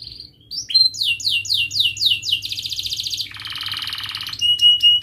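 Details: Canary performing crisp chirps and rolls meant to spur stalled or young canaries into song: short whistled notes, a run of falling chirps, a dense buzzy trill, a lower rattling roll, then sharp clicks and a thin whistle.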